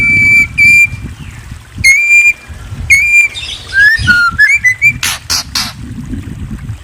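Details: Song of a white-rumped shama: loud, pure, level whistles repeated about once a second, then a faster varied phrase of rising and falling notes ending in harsh rasping bursts over a low rumble.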